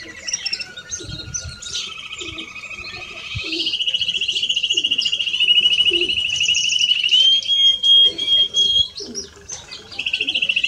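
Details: European greenfinch, male and female, delivering a long drawn-out buzzy trill held steady for several seconds, rising slightly in pitch, preceded by a lower rattling trill and followed by twittered chirps.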